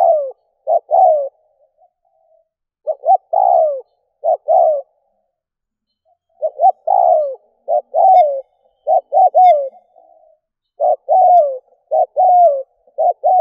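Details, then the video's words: Decoy spotted dove luring wild doves, calling persistently with many low cooing phrases of short double notes and long falling coos, grouped in runs and separated by brief gaps, in otherwise quiet surroundings. "Cu mồi kèm || Tiếng chim cu gáy kích bổi nhanh nổi"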